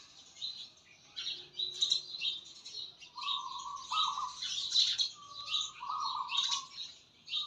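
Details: Outdoor birdsong with many overlapping sharp, high chirps and trills, joined by a run of steady, sustained lower whistled notes in the second half.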